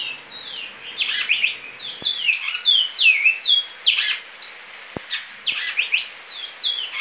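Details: Great-billed seed finch (bicudo) singing in the song style called Goiano liso: a fast, continuous run of clear whistled notes, many sweeping down, others rising, packed closely over the whole stretch, with a few faint clicks.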